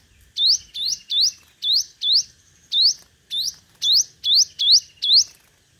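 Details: Five-coloured sunbird, a decoy bird singing competitively, as used for speaker trapping: a rapid series of sharp, rising upswept notes, roughly two to three per second, with uneven gaps between them.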